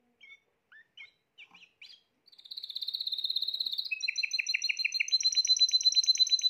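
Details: After a few scattered chirps, a Spanish Timbrado canary from 2020 launches into a long high ringing roll that becomes a steady pulsed trill.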